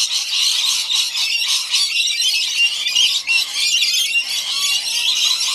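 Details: Several rainbow lorikeets at a backyard feeding, their shrill, grating screeches overlapping into an unbroken, high-pitched wall of chatter with barely any pause.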